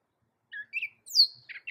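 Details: A short Gray Catbird fragment of four or five separate phrases: a low steady note, a mid warble, then a loud high falling slur and a burry chatter. The bird is a loud American songster that can copy a cat.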